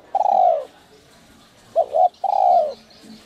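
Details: Spotted dove with a 'giọng còi' (whistle-voice) coo, used to rouse other doves to call: a long falling mellow coo, a quick double note, then another long descending coo, over a quiet background.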